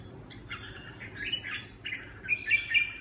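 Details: A red-whiskered bulbul delivers Huế xoè song, with rapid warbling notes at first, then clear, piercing whistled chirps growing louder toward the end, over a soft low background rumble.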